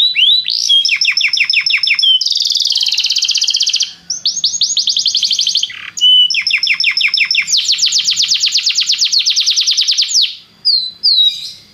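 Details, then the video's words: Belgian canary in continuous song for warming up other canaries, alternating rapid series of downslurred whistles with long dense buzzing trills, barely pausing throughout. "canário belga muito lindo cantando, aqueça seu canário imediatamente"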